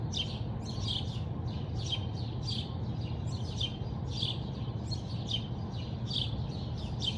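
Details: Birds heard in the morning at a house in Bridgeland, Calgary, Alberta, Canada: a steady run of short, high, sharp chirps, roughly two each second, over a constant low rumble of background noise.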